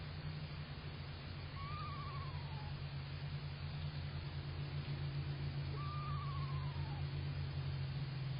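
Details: Two screech owls, possibly an adult and a fledgling, visiting a backyard bird puddle to bathe on 11 June 2023, give two quavering, descending horse-whinny calls, each about a second long and a few seconds apart, over a steady low mechanical hum.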